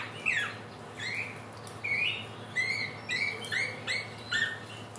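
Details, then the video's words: Helmeted friarbird trotolan lure song, from a bird native to West and East Nusa Tenggara: bright upslurred and downslurred whistled notes, repeated roughly every half second in a lively, irregular sequence. "Pancingan samyong trotolan belajar bunyi"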